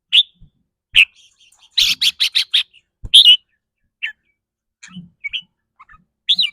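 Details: Red-whiskered bulbul, a caged bird, giving its rapid trilling song, which depends on its mood that day: short bright chirps, then a burst of about six fast even notes, then scattered chirps and soft low knocks.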